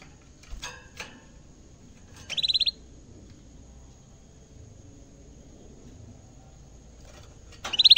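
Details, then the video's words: Energetic canary kept in a cage, its first encounter with a camera: scattered clicks and taps, then a short fast trill of high notes, with another trill starting at the end. "kenari gacor bikin geleng geleng kepala reaksi kenari saat pertama kali lihat camera dalam sangkar"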